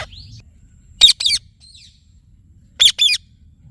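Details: Indian ringneck parakeet giving two loud, harsh, screechy double squawks about two seconds apart, with a faint thin whistle at the very start and a quiet background.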